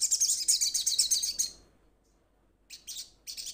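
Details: Kept crimson sunbird calling to its companions: a loud, very high trill of rapid sharp notes lasting about one and a half seconds, followed after a pause by two shorter chipping bursts.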